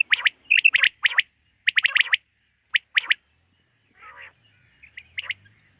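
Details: Common quail calling in the morning in a summer meadow: sharp grouped notes, mostly in twos and threes, repeated for about three seconds, then fainter scratchy sounds and a last short burst.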